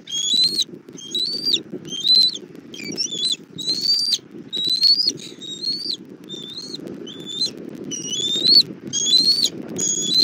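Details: Bald eagle nest in Southwest Florida, 1 April 2024, 17:30, mother arriving with food for the chick, nest camera: around twelve high, wavering whistled notes, some bending downward, steadily repeated over constant low rustling or wind noise.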